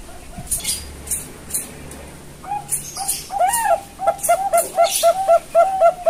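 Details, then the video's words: Farm-bred young Bangkok zebra doves in Kebumen, Central Java, Indonesia, selected as candidates for a thick, big voice: faint scattered notes at first, then a rapid, regular string of short arched coos growing louder toward the end. "PIYIKAN PERKUTUT BANGKOK CALON SUARA TEBAL BESAR"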